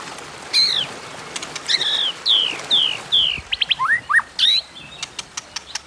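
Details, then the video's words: White-rumped shama in duelling 'kéo thuốc lào' song, meant to stir rivals: sweeping downslurred whistles in quick succession, then paired upslurred notes and a series of sharp dry clicks at the end. "Tiếng Kích Chòe Lửa Hót Đấu Kéo Thuốc Lào"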